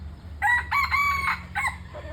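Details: Red junglefowl giving a clear, loud crow: a sharp opening note, then a long, harmonically rich, drawn-out middle section and a brief final phrase, over a constant low-pitched background hum.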